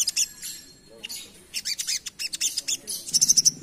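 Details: Asian pied starling singing in lively 'ngerap' style for luring: scratchy chattered notes with short gaps, building into quick repeated harsh pulses and a fast buzzy trill at the end.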